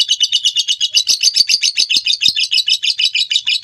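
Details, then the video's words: Lovebird ngekek, a long trill kept for training other birds: quick, squeaky chattering notes tumbling in an uneven rhythm, high-pitched and continuous. "Suara masteran burung lovebird ngekek panjang"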